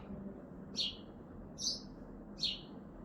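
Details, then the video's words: Sparrow on a balcony in Hazaribagh, India, in the morning, giving three short bright chirps about a second apart over steady low background hum. "Bird Chirping in balkoni#sparrow"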